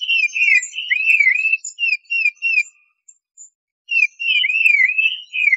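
Tufted titmouse giving clear, high whistled notes in wavering, slurred phrases, a brief pause midway, then a fresh burst; no other sounds.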